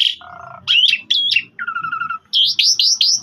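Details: Javan pied starling song used as a master recording for other birds of its kind to copy: loud clear whistles, steady level tones, a doubled flat note, then a run of rising whistled phrases.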